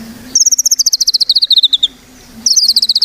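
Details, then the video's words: White-rumped shama song used as a lure to prompt other birds to sing: rapid trains of high pulsed notes, descending gradually over about a second and a half, then a pause and another fast pulsed burst. "Murai Batu Gacor | AMPUH buat PANCINGAN Murai Batu Agar Bunyi"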